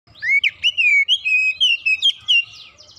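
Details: Oriental magpie-robin (kacer) singing fast and continuously; a rapid run of loud, clear whistled notes, sliding and warbling at mid-high pitch with short gaps, over faint low background rumble.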